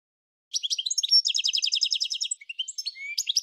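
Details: Goldfinch song with a fast, continuous stream of bright twittering notes and rolled trills, high and tinkling, finishing with short upslurred whistles and renewed chatter.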